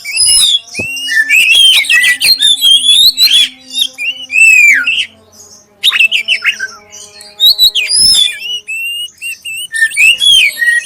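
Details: Black-breasted oriental magpie-robin pouring out a clear lure song to prompt other magpie-robins: busy, scratchy chatter mixed with sweet whistles in long phrases, a pause near the middle, then more whistled runs.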